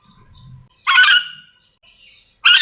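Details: Yellow-and-green lorikeet, endemic to Sulawesi, calling: two loud, hoarse screeches about a second and a half apart, with faint softer sounds between.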